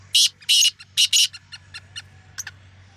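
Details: Black francolin, or kala teetar, at the first attempt of the season: four loud, harsh, grating bursts in quick succession, followed by fainter short clicking notes and a low background hum.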